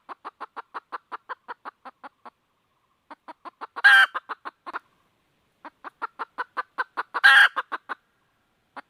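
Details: Red junglefowl hen seeking a rooster, clucking in quick repeated runs. Two loud raspy squawks stand out among the clucks, one near the middle and one later, with brief silent gaps between the bouts.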